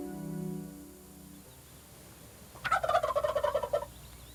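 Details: A wild turkey gobbler in Missouri gives its rattling challenge, a loud, rapid rattling gobble lasting about a second, preceded by low humming background tones.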